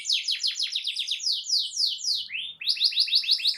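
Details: Canary singing a loud song meant to provoke other canaries into answering: fast descending buzzy sweeps, then slower longer slurs, a rising note and a quick bright trill to finish.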